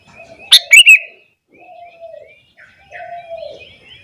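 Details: Sooty-headed bulbul singing intensely in the morning, said to provoke other bulbuls: a burst of loud, sharp chirping notes near the start, then softer high twittering, with low drawn-out tonal sounds beneath.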